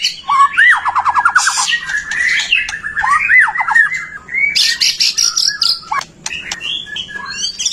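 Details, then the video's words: White-rumped shama singing freely, used to prompt other shamas into song: a fast ladder of falling notes, then looping rising and falling whistles, followed by scattered sharp high chips and buzzy notes. "Suara murai batu gacor AMPUH buat PANCINGAN murai batu agar BUNYI"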